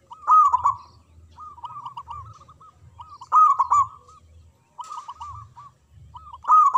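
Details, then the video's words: Strong-voiced local zebra dove in manggung song: repeated phrases of rolled, arched cooing notes, each opening with a loud burst, recurring roughly every one and a half seconds. "Perkutut Lokal Gacor Suara Besar Manggung Ngeledek Perkutut Bisu"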